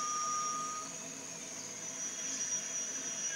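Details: At Panti Bird Sanctuary, a Malaysian rail-babbler gives a thin, level, pure whistle held for about a second, over a steady high insect drone and forest hiss.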